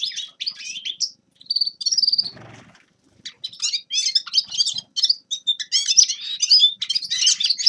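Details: High chirping phrases of a Grey-crowned goldfinch, starting with scattered notes and a short whistle, then a soft noisy pause before lively twittering resumes and continues to the end.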